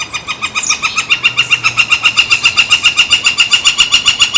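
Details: Woodpecker calling on San Francisco Bay, July 18, 2023, as a barge crosses: a steady run of nasal, ringing notes about four per second, evenly spaced, filling the whole stretch and swelling slightly in strength.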